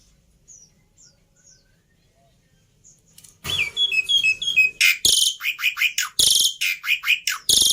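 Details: Black-winged myna in a tutor and lure recording of easily copied song phrases: faint high ticks at first, then an abrupt loud sequence of harsh bursts alternating with sharp downslurred whistled notes.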